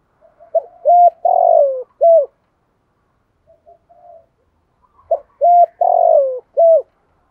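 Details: Spotted dove giving a full cooing sequence in a 'giọng thổ' voice style, used as a lure for training young doves. Two low cooing phrases, each of short notes around a longer drawn-out coo, separated by a pause of about three seconds.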